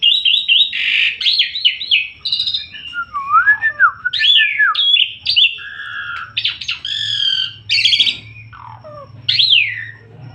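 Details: Asian pied starling singing vigorously in gacor style: a rich, fast medley of slurred whistles, squawks and buzzy chatter, notes sweeping up and down with little pause, over a faint low hum.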